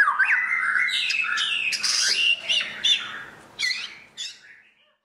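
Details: White-rumped shama (Copsychus malabaricus) song: a rich, fast run of varied whistles mixed with harsh, buzzy notes, tailing off into a few scattered chirps.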